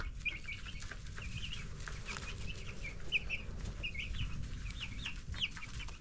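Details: Broiler chicks, ten days old, being raised indoors. Many high thin peeps overlap in quick, irregular bursts over a constant low rumbling hum.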